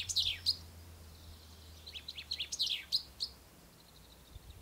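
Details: Common chaffinch in riverside poplars of the Ucero at dawn on the first day of spring; scattered sharp chirps and short trilled fragments, with a low hum underneath.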